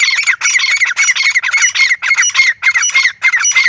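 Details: Grey francolin, harsh loud calls in steady rhythm, about two raspy ringing notes each half second, continuous throughout with no other sounds.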